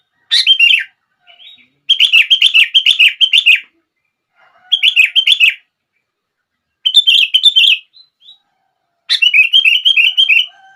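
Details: Sooty-headed bulbul singing, played to prompt other bulbuls into song: rapid chattering strings of bright warbled notes in bursts of one to two seconds, separated by brief pauses.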